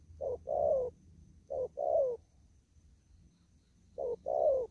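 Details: Spotted dove, a bird still kept out in the fields, cooing: three phrases, each a short soft note then a longer rolling, slightly falling coo, separated by quiet gaps.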